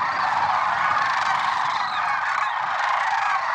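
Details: Early morning, February 6, 2023, Merced National Wildlife Refuge: many lesser sandhill cranes call together, overlapping rolling bugles forming a dense, steady chorus from start to end.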